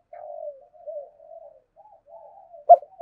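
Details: Spotted dove kept as a decoy to lure wild doves, murmuring a string of soft, low, drawn-out coos before one brief, sharper, louder note near the end.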